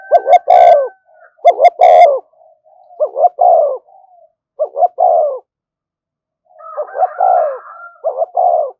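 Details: Thúc gù cooing of a spotted dove, used as a lure to stimulate decoy birds: loud hollow coos in short bursts, each two brief notes then a longer sliding note. A few crackling clicks come at the start and a soft higher murmur later.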